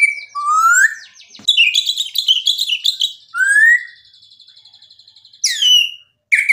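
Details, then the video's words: White-rumped shama song used to stir a rival into singing back: rich varied phrases of rising whistles, rapid chattering notes and a long buzzy trill, with brief pauses between bursts. "MURAI BATU GACOR memancing EMOSI lawan jadi NYAUT GACOR"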